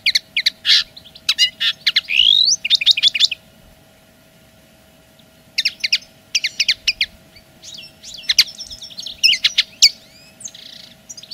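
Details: Territorial song of the common linnet: clusters of crisp chirps and a rising slurred trill, a pause of near silence, then further twittering phrases and a soft buzzy ending, over a steady low hum.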